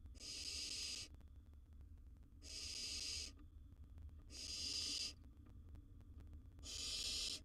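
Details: Young wild barn owl in a monitored nest box with a large gerbil as prey, rasping out four drawn-out, airy screeching hisses, each about a second long, spaced roughly two seconds apart.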